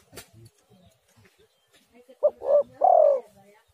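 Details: Spotted dove call used as a lure so other doves start calling: some soft low clicks and murmurs, then a single three-part coo of a brief first note, a fuller second note, and a long sustained closing note.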